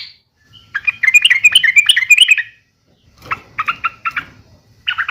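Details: Yellow-vented bulbul fighting call meant to draw a reply from other bulbuls: a rapid chattering burst, quiet gap, then several clipped, separated chips, with faint low background hum.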